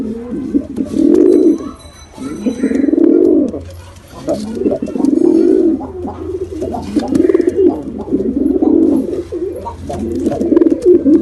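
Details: Pigeons of both sexes repeatedly cooing in low, guttural, undulating phrases about every two seconds, over a steady low hum.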